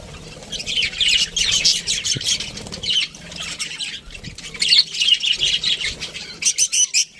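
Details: Budgerigar flock in an aviary chattering: steady high warbled chirps and squawks, ending in a string of sharp clipped chirps.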